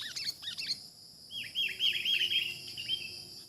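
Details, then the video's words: Wild sooty-headed bulbul in a trapping setting with a decoy: a short run of quick, bubbly descending notes after a pause, with faint earlier chirps and a steady insect hum behind. "ternyata burung KUTILANG liar ini BRUTAL sekali"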